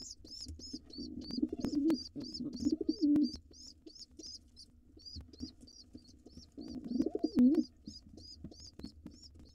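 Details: Wild pigeons in a nest box, where an intruder male goes after the nestlings to seize it. Two long bouts of deep, throaty cooing rise and fall, separated by quieter stretches of rapid high cheeping that never stops.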